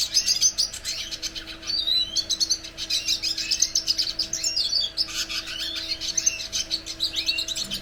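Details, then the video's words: Red siskin song: dense, fast chattering warble of high buzzy notes, rising and falling slurs and scratchy trills, almost unbroken for eight seconds, over a faint constant low hum. "Cardenalito de Venezuela cantando!!"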